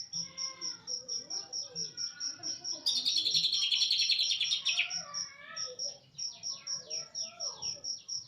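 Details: Cililin-style song from an East Java greater green leafbird: a two-second volley of dense, shrill high chatter between stretches of descending whistled notes, backed throughout by a regular series of high beeps.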